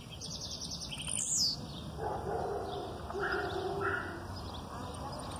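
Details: Blue-black grassquit aggressive song with female calls in the background; one sharp, high descending buzzy note early on, then softer, lower chirps and murmurs fill the remaining seconds.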